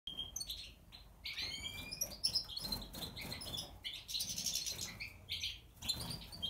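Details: European goldfinch of Major type, natural, white-headed and split brown pastel, in breeding condition in an aviary, giving bright twittering song of quick high chirps and short rising and falling whistles, with soft wing and cage noises underneath.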